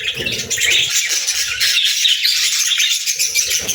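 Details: Pet budgerigars in an unbroken, dense, high warbling chatter of rapid twittering notes, with faint low rumbling underneath.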